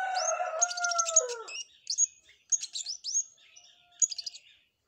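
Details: Flowerpecker in lively song modelled on a canary; a lower drawn-out note opens, then scattered sharp high chirps and short buzzy bursts come in irregular clusters with brief gaps.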